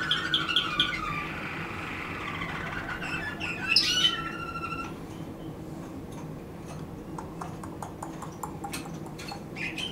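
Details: Waterslager canary: a fast chain of repeated pips, a loud rising warble around the fourth second, then quieter rapid ticking notes continuing to the end, with steady hum behind.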